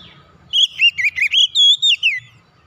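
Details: Oriental magpie-robin song meant to restart a bird that has gone quiet: one continuous phrase of bright, looping whistles, several sweeping up and down, closing on a long falling note.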